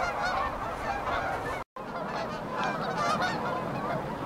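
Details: At a riverbank stopover in Calgary, Alberta, geese take off for warmer climates, filling the air with loud, overlapping honks that barely pause, apart from one short break in the recording.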